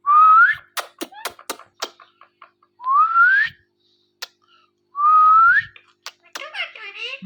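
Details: Male and female ringneck parrots kept as pets make mating sounds in front of a mirror indoors: rising whistled notes repeated about every two seconds, with sharp clicks and short chattering notes between them.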